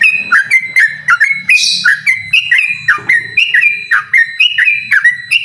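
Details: Challenging a rival, a yellow-vented bulbul pours out a rapid series of bright, slurred whistles, each note swooping down then up, with a short hissy burst early on.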